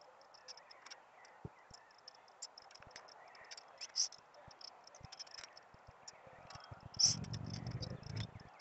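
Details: Blue-black grassquit, a male in hot full-song condition held in the hand, gives two short, sharp high buzzy notes a few seconds apart over steady high hiss, scattered clicks and low handling noise near the end.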